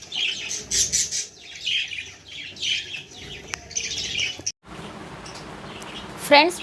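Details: Baby budgerigar chattering indoors in bursts of scratchy, high chirps for about four seconds, then a brief gap and quiet hiss before a louder rising squeak at the end.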